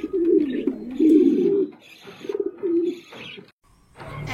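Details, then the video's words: Red King pigeon, a domestic breed, calling repeatedly in its cage after being placed there; deep, throaty rolling coos in several bursts, followed by brief speech and handling noise at the end. "দেখতেই পাচ্ছেন খাঁচা দেওয়ার পরে কি সুন্দর রেড কালারের কিংটা ডাকাডাকি করতেছে আপনাদের ডাক শোনানোর জন্য ভিডিওটি আবার করলাম এখন"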